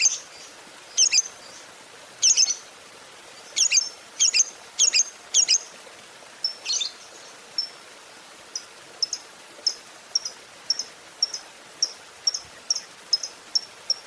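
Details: Chatty fighter lovebird used to provoke other lovebirds into singing. Loud clustered high chirps give way to a steady series of short, thin ticks, roughly two per second.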